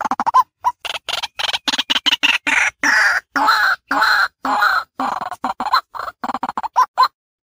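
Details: Daytime lure recording of a white-breasted waterhen. A dense, harsh run of overlapping croaks, grunts and chuckling notes comes in quick, irregular bursts, then ends in a few sharper squawks. No other sounds are heard.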